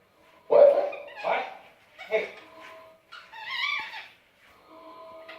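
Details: Pet Indian ringneck parakeet chattering softly while snoozing: a handful of short, scratchy, speech-like chirps and mutters in separate bursts, one trailing into a thin sustained whistle, in a quiet room.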